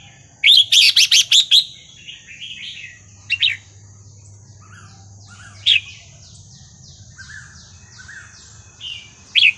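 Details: Red-whiskered bulbul singing Burmese-style song, 3-4-5-6 pattern, played to teach young birds: a loud burst of sharp chirped notes, then scattered whistles over a steady background chorus of many repeated down-slurred notes.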